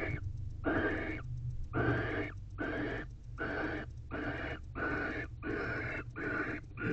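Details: Barn owl pair in an owl box at night, 9:50 pm on 28 December 2023, the female expecting the male to mate while he guards the entrance; rough, breathy hissing bursts repeated about every 0.8 seconds with a low steady hum.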